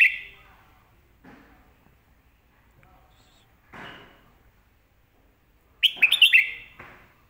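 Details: Red-whiskered bulbul singing a master song meant to teach young birds: scattered faint notes, then near the end a loud, rapid run of clear chirped whistles that slur downward.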